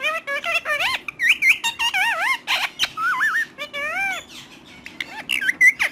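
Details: Parrot speaking in rapid wavering syllables, bursts of mimicked words with rising and dipping pitch, punctuated by a few rough squawks.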